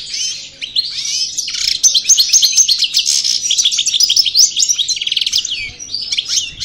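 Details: Post-moult European goldfinch of the Parva Cravaty type from El Bordj, practising song: dense, high tinkling warble of quick chirps and buzzes, with a short rattling burst near the end.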